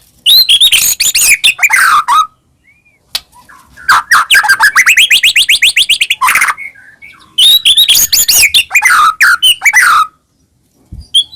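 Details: White-rumped shama, a highly vocal bird used as a lure to provoke other caged shamas into singing. Loud, rich song of rapid whistled phrases, a rising run of quick repeated notes, and bursts of harsh chattering, with brief pauses between phrases.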